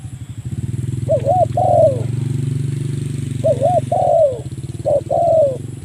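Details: Spotted dove calling a rival, a recording used to lure other spotted doves: three short bursts of low, rolling coos, each ending in a longer drawn-out falling note, over a loud, steady engine-like drone.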